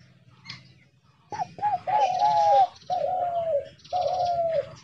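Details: Spotted dove kept as a decoy bird in a trap cage, calling: after a quiet opening, two short coos lead into three long, drawn-out, slightly falling coos, each about a second long and separated by brief pauses.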